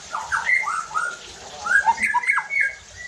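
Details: White-rumped shama song used to provoke other shamas into singing: varied short whistled and slurred notes, some rising and falling, with harsher squawky phrases in the second half.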